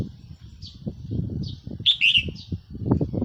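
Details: Red-whiskered bulbul decoy bird recorded on 4 May 2023, giving one short, loud warbled phrase midway through, with faint high notes before and after over low rumbling background noise.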